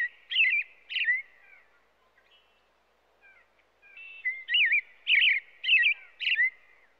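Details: American robin song: caroling whistled phrases that rise and fall, two at the start, a quiet pause with faint soft notes, then five phrases in quick succession.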